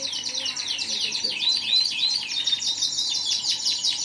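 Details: Lively canary song of high clear whistled slurs and quick chirps, rising and falling in rapid succession, steady and sustained throughout with a faint murmur of voices beneath.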